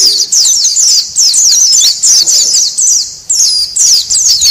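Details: Oriental white-eye lure recording of noisy calls used to attract wild birds: dense, rapid, high thin twittering notes in near-continuous bursts, several overlapping voices, with brief pauses around one and three seconds.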